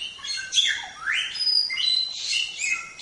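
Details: Training song of a Samyong for songbirds. A dense, continuous run of high, overlapping whistles and rising buzzy sweeps, loud and busy with hardly a pause.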